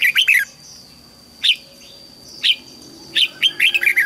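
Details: Captive red-whiskered bulbul practising song for juveniles to copy: a quick chirpy phrase, then isolated sharp notes roughly once a second, ending in a tumbling run of bright whistles; a thin steady tone hums underneath.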